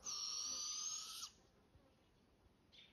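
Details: Juvenile barred owls exchanging calls in southern Oregon, Pacific Northwest. A loud, drawn-out breathy hiss with a faint whistled undertone lasts about a second, then a soft answering rasp sounds near the end.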